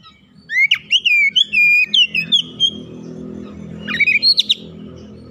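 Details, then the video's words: Newly acquired oriental magpie-robin in training sings loud gacor song with learned fill-in phrases. Sharp upslurred and falling whistles form a fast phrase, then a second burst follows over a steady low rumble like passing traffic. "Kacer bahan langsung gacor bongkar isian"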